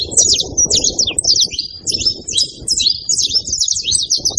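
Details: A group of saffron finches on a farm in Brazil utters loud, high, slurred chirps in short bursts that run into a quick trill near the end. A background murmur sits beneath.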